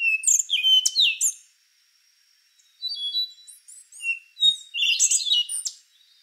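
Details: Rufous-brown solitaire song: an energetic phrase of sharp rising and dropping whistles, a brief pause, then softer looping notes building into a loud jangling flourish.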